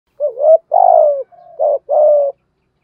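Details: Spotted dove cooing to lure wild doves, in the urging and calling styles: a low mellow phrase of four hoarse notes, a short note, a long descending coo, a faint link and two more coos, in a quiet setting.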